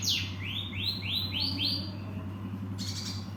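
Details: Cinereous tit, known locally as gelatik batu, repeating five bright notes that each rise then level off, evenly spaced about three a second, followed by a short buzzy chatter, with low hum beneath.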